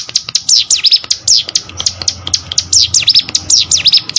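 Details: Cigun (hill prinia) singing for contest-bird training: looser, irregular high down-up sweeping notes with short gaps between phrases and faint background clicks.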